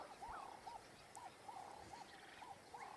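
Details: Male Klaas's cuckoo perched atop an acacia at Ol Pejeta giving its territorial call: short, soft, arched whistled notes repeated several times a second against a hissy background, faint other birds higher up.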